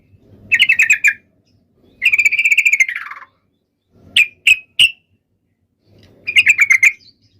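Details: Yellow-vented bulbul fighting song used to draw answers from other bulbuls: short buzzy trilled phrases, one slurring downward, then three separate sharp notes and another trill.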